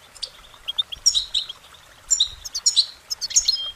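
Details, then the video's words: Musical goldfinch song of short warbling notes. Scattered high chirps build into two louder twittering flurries, the second more intense and trilled. "Uplifting Chirpings Motivational Goldfinch Singing their Song"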